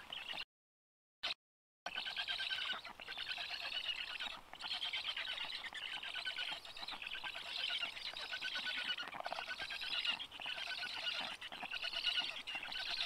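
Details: Black stork chicks in a nest in Karula national park, on a rainy, cold day, as their father arrives to feed them: a steady run of harsh, wheezy, squeaky calls, unbroken for most of the stretch, with a brief dropout near the start.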